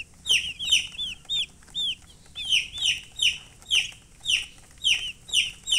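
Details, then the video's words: Baby chickens peeping repeatedly, with clear high falling chirps coming in quick pairs and singles across the whole stretch against a quiet background. "Chicks Chirping"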